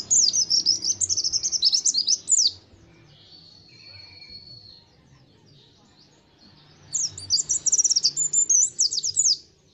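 A white-eye sings two bursts of rapid, very high, tumbling twitters about two seconds long. A thin, steady whistle fills the pause between them over a faint low hum.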